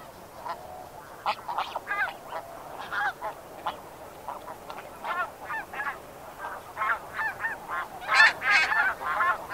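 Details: Close flight calls of Snow Geese: loud, nasal honks repeated irregularly about three per second, some overlapping, over a background of farther flock calling.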